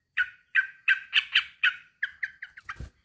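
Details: Male sooty-headed bulbul calling to a rival: six husky chattering notes, then quicker, softer, clipped ones, ending with a low knock.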